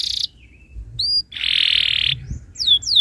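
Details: Canary tutor song used to get other canaries singing: a short buzzy burst, a thin high whistle, a long steady rasping trill, then two clear falling whistles.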